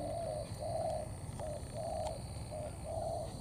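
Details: Spotted dove cooing in a thổ style blended with cấn sấm. Soft, level, drawn-out coos repeat about once a second over a constant low rumble and a thin high-pitched whine.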